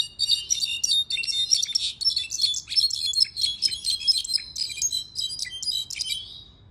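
A Mexican goldfinch sings a fast, continuous jumble of high, bright twitters and trills without pause. No other sounds stand out.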